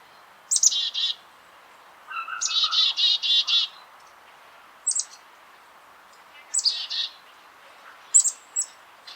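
Black-capped Chickadee giving its namesake chickadee-dee-dee call: high, sharp opening notes followed by a string of husky, buzzy dee notes, repeated in several bouts.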